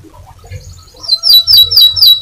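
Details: Canary, a loud champion singer, giving a loud song of bright, high chirping notes swept downward, repeated in quick rhythmic bursts about four times a second, after softer scattered twitters; faint low hum underneath.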